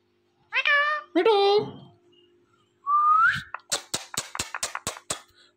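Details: Talking Indian ringneck parrot gives two rich, nasal, voice-like syllables, pauses, then a rising whistled slide followed by a quick series of dry clicks.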